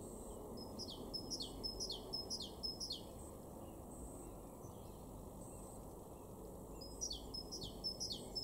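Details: Great tit singing bright, high two-note phrases repeated about three times a second in two bursts, in a garden in Weener, East Frisia, northwest Germany, in March 2023, over a steady low rumble of wind or distant traffic.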